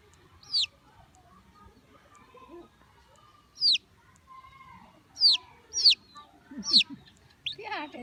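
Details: Baby chicks chirping with clear, high, downward-sliding peeps, five or six spaced irregularly across several seconds, with faint low murmurs beneath.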